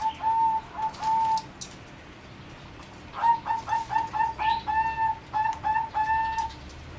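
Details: Zebra doves of a competition singing line in a flight cage, 30 April 2014: clear level whistled notes, then a fast series of short staccato coos in a rolling rhythm, with other calls faint behind.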